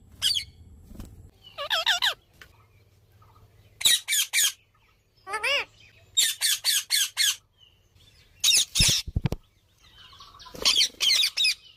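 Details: Alexandrine parakeets producing strange sounds: loud harsh squawks in clusters of three to five quick notes, plus one sliding, warbling screech, with pauses between bursts.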